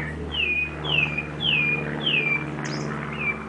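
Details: Sabiá thrush singing in a city house backyard, a run of clear whistled phrases each sliding down and levelling off, repeated about every half second, with a constant low mechanical hum behind.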